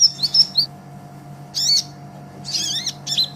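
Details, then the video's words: Kolibri Ninja sunbird used as a training master for cage songbirds: short bursts of shrill, high twittering phrases separated by brief silences, with a faint constant background hum. "Suara Kolibri Ninja KONIN GACOR Untuk Masteran Kicau ! Konin Ijoan Gacor"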